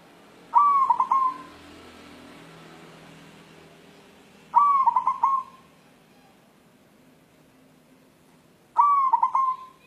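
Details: A white zebra dove, a local wild-type bird, calls in search of a mate, giving three rolling cooing phrases about four seconds apart; each starts with short clipped notes and melts into a gentle warble. Faint low hum behind.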